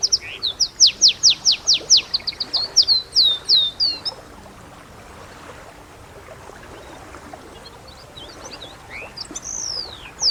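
A canary sings a fast run of high, sweet repeated notes for about four seconds, then falls quiet before a few scattered chirps return.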